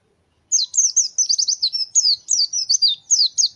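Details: Pleci, a white-eye, singing gacor as a fighter bird: after a short silence, a nonstop stream of sharp, high, down-curving twitters, about four notes each second, on a quiet background.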